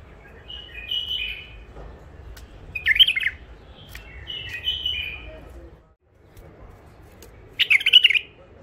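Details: Bulbuls caught wild near Mandali crossing and kept in first isolation sing fluty warbled phrases answered by loud, harsh, bright bursts, the pattern repeating twice more across the recording, with quiet stretches in between.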